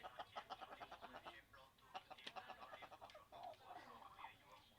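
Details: A quick run of chicken clucks, roughly three per second, followed by a softer, drawn-out murmuring call near the end.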